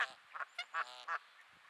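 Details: Four crisp, evenly spaced nasal honks, rich in harmonics, from grumpy geese in Sainte-Adèle, Quebec, Canada, on an overcast May afternoon at 15°C.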